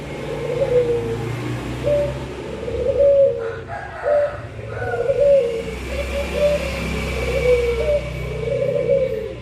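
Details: Puter pelung collared doves calling at midday. A series of low, rather flat coos is partly masked by a steady background rumble of passing traffic and broadband noise.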